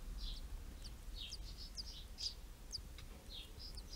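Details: Tree pipit nesting on a terrace, summer 2016, where four chicks were reared; short high downslurred whistles in a rapid, uneven sequence against low rumbling noise.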